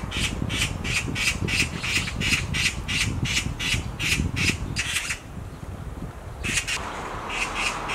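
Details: Black magpie screaming from a tree branch: a fast series of harsh, grating squawks, about three a second, pausing briefly near the end before resuming, over steady low rumbling background noise.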